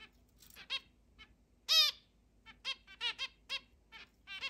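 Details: Indoor zebra finches from a flock of eight kept in a large cage, 10 July 2022: clean, separate nasal beeps, one loud drawn-out honk, then a string of short trumpet-like calls on a quiet background.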